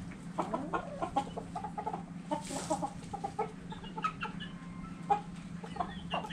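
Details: Chickens and roosters dirt bathing, with steady overlapping clucks and soft murmurs throughout, a brief hissing scratch of dust partway through, over a low background hum.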